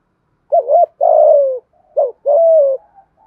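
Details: Spotted dove cooing urgently in the 'giọng thổ' voice style to provoke a rival: two quick phrases about a second and a half apart, each a wobbling double note then a sustained descending coo.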